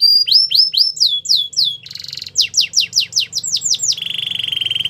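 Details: Canary song meant to coach canaries to sing: clear descending whistled sweeps, a short metallic buzz, more falling slurs, then a low rolling rattle at the end.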